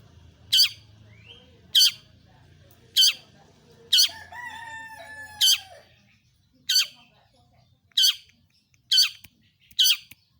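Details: Long-tailed shrike (pentet, cendet) lure song: sharp, high, downslurred notes spaced about a second apart, broken by a longer rattling, whistled phrase in the middle.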